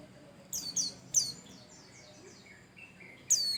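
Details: White-eye singing to encourage other birds to sing: crisp, high, falling chirps in a quick group of three, then a single chirp after a pause, over faint hiss.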